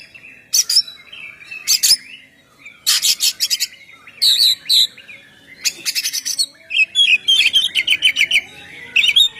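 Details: Oriental magpie-robin in full open song, used to lure and trap birds and prompt singing: loud varied phrases of harsh rattling bursts, sweet whistles and quick trills, irregular bursts every second or so, nothing else audible.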